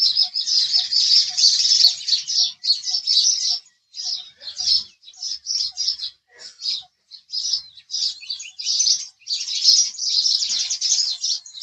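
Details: House sparrow chirping in lively, overlapping runs of high, scratchy notes with a few brief silences and faint ticks underneath.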